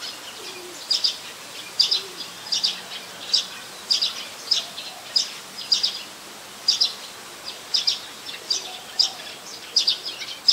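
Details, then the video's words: A Streak-eared Bulbul, common resident of Ubon Ratchathani, Thailand, taped 4 February 2020, delivers a rapid, fairly steady run of sharp high chirps, many doubled, with a faint low hum beneath. "นกปรอดสวน : Streak-eared Bulbul"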